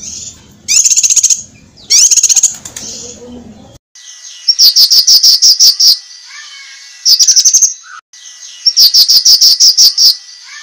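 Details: Cucak kinoi master song for training competition birds: repeated rapid series of high, piercing chirps in about six bouts, some with low background noise, plus occasional softer lower whistles.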